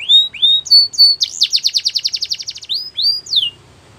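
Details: Canary song opening with rising whistled slurs, then a fast rolling trill for about a second and a half, ending with a few clear upslurred whistles.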